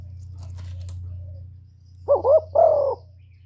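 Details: Spotted dove lure call for attracting doves: a steady low electrical hum fills the clip, then three wavering, throaty coos near the end, the last longest.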